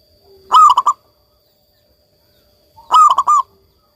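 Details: Local zebra dove singing vigorously, offered as a recording to coax silent doves back into song: two short cooing phrases about 2.4 seconds apart, each a fuller opening coo followed by quick stuttering notes, with quiet between them.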